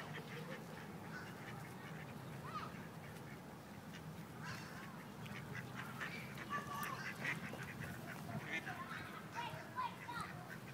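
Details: Several rejected male ducks forcibly attempting to mate with a female in Wilmington, North Carolina; scattered nasal quacks and short honking notes come irregularly, some overlapping, against a constant low background rumble.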